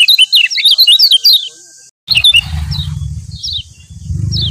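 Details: Lombok yellow white-eye, kecial kuning, used as a master song to prompt other birds into singing: quick high twittering chirps for nearly two seconds, a brief gap, then scattered sharp chirps over a low rumbling background noise.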